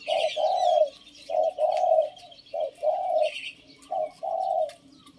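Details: Captive decoy Spotted Dove cooing in a phrase judged not pretty. Low, hollow coos come in pairs, a short note then a longer drawn one, repeated about four times. Faint higher chirps of other birds sound behind.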